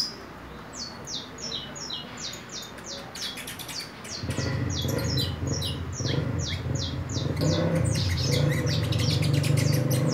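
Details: Juvenile saffron finch, four months old and entering its nest moult, sings rapid, high, downward-slurred chirps in quick bursts, at times almost trilled; a steady low mechanical hum begins midway and continues beneath the song.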